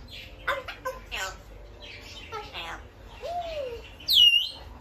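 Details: Pet African grey parrot giving a jumble of soft muttered chatter and clicks, then a smooth low whistle arching up and down, ending in a loud bright whistle sliding downward.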